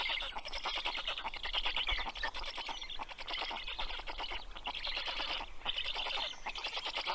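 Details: Evening feeding at a black stork nest in Karula National Park, southern Estonia, 11 June 2023: the male brings fish to the chicks. Rough, rapidly ticking hiss in surges, with a few low knocks at the nest.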